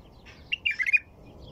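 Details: Song of a white-eared bulbul, a brief bubbling phrase of several quick, mellow slurred notes delivered in under half a second against a calm, low-noise backdrop.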